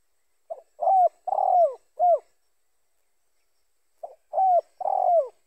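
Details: Spotted dove cooing, recorded as a lure for catching other spotted doves: two phrases, each a brief note, a rounded coo, a longer wavering coo and a falling final coo, separated by about two seconds of silence.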